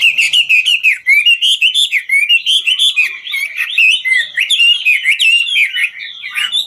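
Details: Chinese hwamei ranked 'ngũ trường', singing while dancing: a fast, continuous stream of loud slurred whistles and trills, notes rising and dipping several times per second with brisk sharp clicks between phrases.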